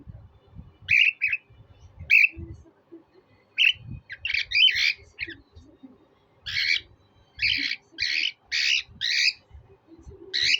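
A cockatiel gives harsh, buzzy chirps in short bursts, speeding into a rapid run of calls.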